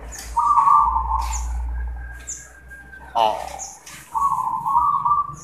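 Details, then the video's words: Zebra dove (perkutut) song from local birds answering each other: trilled, level coos at mid pitch in two bursts, mixed with people talking and a low hum. "Zebra Dove | Perkutut manggung"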